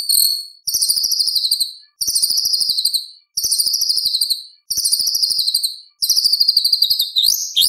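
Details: White-rumped shama (murai batu) singing full-fill competition material: rapid, high, buzzy trills repeated in phrases of about one second with short pauses, ending in a sharp whistled flourish.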